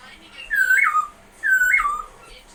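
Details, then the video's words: White-cheeked masked laughingthrush giving a loud whistled phrase twice: a level note, a quick step upward, then a drop to a lower held tone, each phrase about half a second long, with a quiet background. "Burung Poksay Hongkong pipi putih Gacoran"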